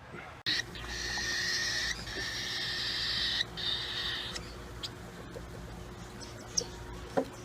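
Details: Baby cockatiel being hand-fed at a pet store until its crop is full, giving loud, raspy, buzzy begging calls in long sustained bursts broken by short pauses, with a faint steady hum behind.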